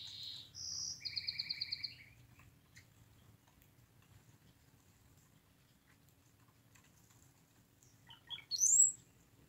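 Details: Several cowbirds at a driftwood feeder on South Vancouver Island, BC: brief high squeaks and a quick buzzy rattle, then after a few quiet seconds a thin, sharply rising whistle.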